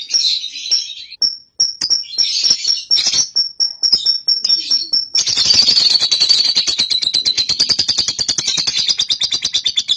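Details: Young cobalt lovebird, a pancingan bird for prompting another to ngekek: scattered sharp high chirps and squeaks, then a long unbroken fast rattling chatter of high rasping notes.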